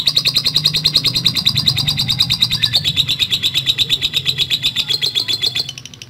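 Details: Long continuous lovebird 'ngekek' trill: quick, regular, high-pitched chattering pulses held for several seconds, with a low rumbling hum in the background, easing off at the end.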